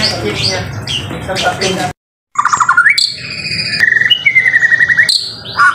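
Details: Murai batu (white-rumped shama) gacor song: muffled busy chatter, a brief silence, then a rising trill, steady whistled tones and a long rattling trill followed by a final short whistle.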